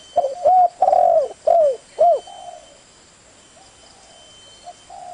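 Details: One cooing phrase from a spotted dove: five hollow coos, the second long and drawn out, the last ending in a falling curl, then quiet with faint distant coos and a thin high whine.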